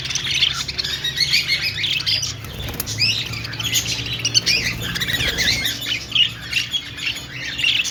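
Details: Budgerigar singing and dancing, with a nonstop scratchy warble of chirps and squeaks. A brief soft rustle comes near the middle, and a low hum persists throughout.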